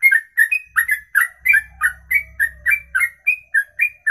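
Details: Bird delivering a long ropelan song in a single breath over two minutes; quick whistled notes about three per second, pitch stepping up and down, with a faint low rumble in the background.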